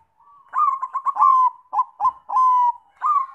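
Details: Zebra dove, Bangkok strain, in lure song meant to set other doves singing: one continuous phrase of rapid ringing notes, then separate clipped coos and a long level coo, ending on a rising note.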